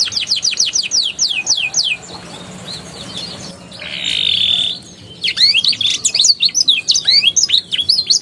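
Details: Canary lure song to coax young canaries into singing: quick descending whistled notes, a low murmur, a harsh buzzy note, then jerky varied chirps and slurred whistles.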